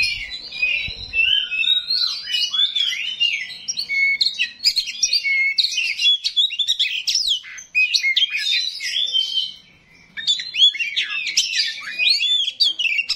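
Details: Kacer rawit, an oriental magpie-robin, pouring out a dense, rough song of quick twittering notes, slurred whistles and scratchy bursts, with a brief pause near the tenth second before the phrases resume.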